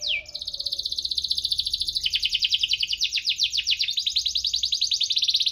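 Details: Canary in lively song with chirps and rolls, meant to draw lazy canaries into singing: a quick falling opening note, then a long rapid pulsed roll whose pitch dips and rises over five seconds.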